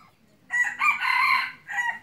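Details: Hunting decoy red junglefowl rooster gives a single hoarse crow, rough and rising into a sustained middle section and then a short clipped final note. The surroundings are otherwise quiet.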